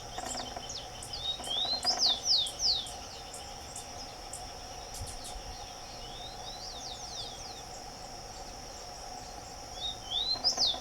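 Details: Rufous-collared sparrow (Zonotrichia capensis) singing in the open: thin, slurred whistles, each phrase sliding up then down, repeated every few seconds over a steady high insect drone.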